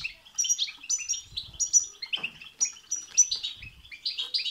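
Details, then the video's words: European goldfinch singing, meant to spur a goldfinch into song: rapid tinkling twitters and sharp high notes in close succession, one brief rasping burst near the middle, low rustles faint. "بتبتة وستستة تخرج الحسون عن السيطره..... هيجان خرااافي تسببه هذه البتبتة نار على نار سيغرد حسونك"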